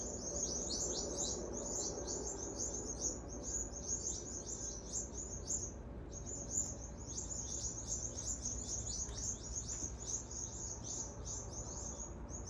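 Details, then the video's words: Many birds in Adelaide, Australia, calling loudly because a rat is chasing them. Nonstop high, scratchy chirping pours out in quick overlapping notes with one short pause, over constant low-pitched environmental noise. "Birds loud chirping sound coz of a rat chasing them"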